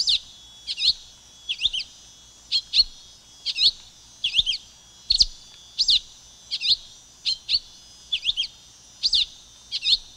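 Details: Long run of high, twittering two-note phrases by a silver-beaked tanager, around thirteen bursts in steady succession, each a rapid swoop of chirps, with a faint ringing tone underneath.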